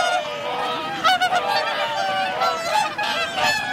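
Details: Swans wintering at Lake Hyoko in Agano City, Japan, photographed on 8 January 2022 among 2,628 birds; a crowded chorus of bugling honks with rising and falling inflections continues throughout.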